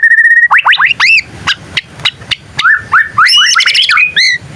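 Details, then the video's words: Young white-rumped shama practising its song, prompting other shamas to respond; a steady whistle gives way to quick upward-sweeping notes repeated several times a second, then looping slurred whistles and a bright rising flourish. "Suara burung murai batu paling gacor bikin burung murai lain langsung nyaut"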